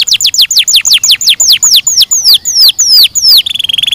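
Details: Canary song: a fast series of high whistled notes, each sweeping sharply downward, repeated about five times a second and gradually slowing, then breaking into a rapid, buzzy trill at the end.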